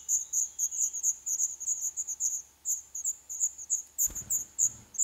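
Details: Nestling black redstarts calling from their nest in an old furnace pipe of a building awaiting demolition, Poland, day eleven; a rapid train of piercing high chirps, interrupted by a single dull knock near the end.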